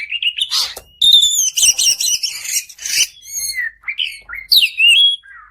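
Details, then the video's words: Kept white-rumped shama singing to provoke another bird into song: a rising whistle, then a dense burst of fast buzzy chattering, followed by sharp whistled downslurs and a falling note. "kacer Gacor Panjang || kacer macet bunyi pasti nyaut"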